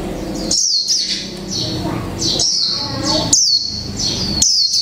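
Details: Japanese white-eye of the khuyên mộc type, caged for one month, giving líu pha chòe trống song: sharp high falling notes with short trills, separated by brief gaps, over low background hum and rustling.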